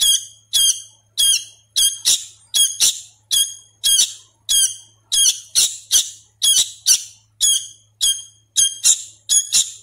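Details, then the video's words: A hand-fed young Sooty-headed Bulbul, still learning to sing, gives harsh, raspy, high-pitched begging calls, about sixteen in ten seconds, some doubled, over a faint low hum. "suara asli kutilang anakan"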